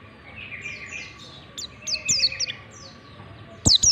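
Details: Softer ngalas song of a warbling white-eye, played as a singing lesson for white-eyes: faint buzzy trills and scattered thin falling whistles, ending in one loud sharp whistle, over steady hum and hiss.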